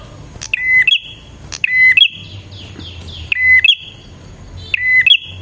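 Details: Bar-winged prinia song played to lure wild prinias. Four buzzy two-part whistled phrases, each stepping up in pitch, with a run of softer descending chirps from another bird between the second and third.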